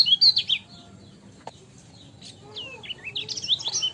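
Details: Short burst of high chirps from a lemon-bellied white-eye, then near-quiet with a click. Rising whistled notes lead into renewed ciak-style twittering in the final second.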